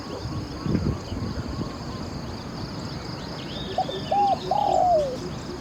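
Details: Spotted dove from a decoy session meant to lure wild doves. After low rumbling background noise, a single phrase is heard: two short coos, then a drawn-out mellow coo that slides downward at the end.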